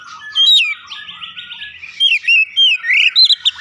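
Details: Oriental magpie-robin song used as a lure to set another bird singing: bright, varied whistled phrases around mid-high pitch, with a long buzzy slurred stretch, then quick rising and falling whistles and sharp chips in rapid succession.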